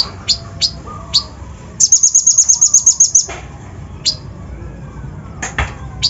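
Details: Kolibri ninja sunbird song used as a lure to excite other birds, heavy with mimicked phrases: scattered piercing high chirps around a rapid, glittering trill of about twelve notes lasting over a second.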